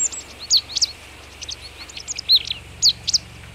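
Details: Marsh tit in Vitebsk Region, Belarus, on a frosty morning at -18°C on 22 February 2013, at wild boar remains, giving thin, high chirps and quick two-part notes in loose bursts over a faint low hum.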